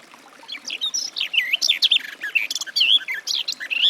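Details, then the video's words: Garden warbler (Sylvia borin) singing a sustained, even warble of mellow, looping notes, steady and unbroken across four seconds. "Warbler garden, birdsong"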